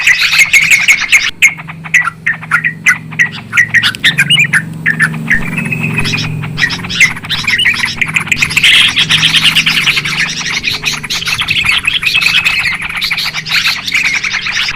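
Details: Yellow-vented Bulbul (trucukan), a noisy, clear-voiced lure recording for trapping birds: dense overlapping chirps and chattering notes, busy and unbroken, with a low steady hum underneath.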